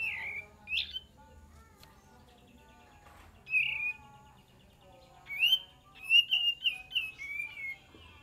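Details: Olive-winged bulbul song used as a lure: scattered whistles at first, then a lively run of several rising and falling whistled notes in quick succession, over a quiet background.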